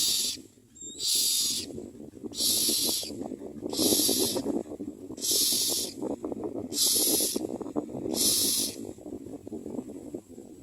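Myna chicks give harsh, hissing begging calls in bursts about once a second, seven or eight in a row, over a low background rumble.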